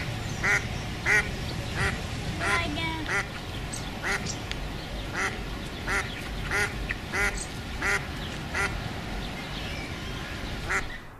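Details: Duck quacking in a pond, described as a duckling: a run of short, harsh, nasal quacks, about one and a half per second, uneven in spacing, with faint voices in the background.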